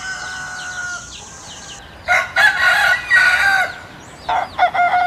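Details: Rooster from Southwest Asia: end of one sustained crow, then a fresh loud crow of rough pulsed syllables and a drawn note, with another crow starting near the end.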